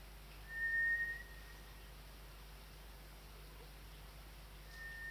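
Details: Nue, the White's thrush, whistling at 5 am on a cold late-March morning, 29 March, calling more often than usual: one clear, level, drawn-out whistle of about 1.5 seconds, then a second beginning near the end, with low hum beneath.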